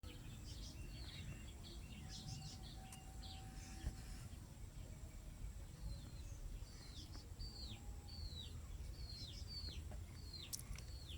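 Bush lark chicks give thin, high chirps, many with a downward slur, repeated in quick bursts over a steady low rumble of background noise.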